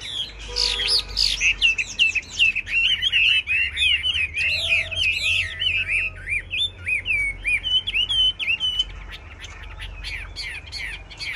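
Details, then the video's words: Chinese hwamei in a caged singing contest: a long, energetic torrent of looping, rising and falling whistles, repeated roughly three times a second, with brief steady tones and low background rumble. "Họa mi hót đấu giàn"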